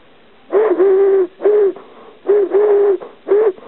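Eurasian collared dove giving its low, hollow three-note coo, short-long-short, heard twice in succession.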